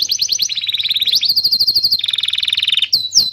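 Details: Canary training song meant to stimulate young canaries and silent birds: rapid pulsed trills shifting between pitches, a long rolling buzzy phrase, then sharp high chips at the end.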